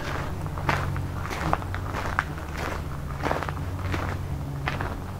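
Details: Footsteps crunch steadily along an outdoor trail during a summer solstice hike in Southern Ontario, Canada, over a low rumble, with no animal calls.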